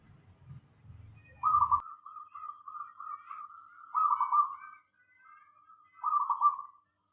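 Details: Local zebra dove song played to draw other doves into answering: after a low rumble stops, a long chain of pulsed, level coo notes runs on for several seconds, ending in a separate rolling phrase.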